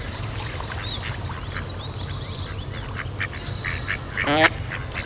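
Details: Mallard female during rough mating at Kirriemuir RSPB, with another male attacking the mating male; a single short quack near the end follows thin high whistles and chatter from other birds over a low rumble.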